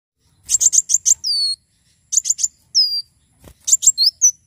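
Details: Javan sunbird singing actively, recording meant for tutoring and prompting other birds: three bursts of four or five rapid, very high chirps, each closing with a thin, drawn-out downslurred whistle, separated by short pauses.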